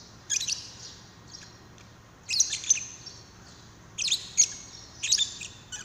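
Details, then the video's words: Lovebird calls meant to coax another lovebird into singing: four harsh, high squawking bursts spaced about a second or more apart, with quiet gaps between. "Pancingan love bird paud"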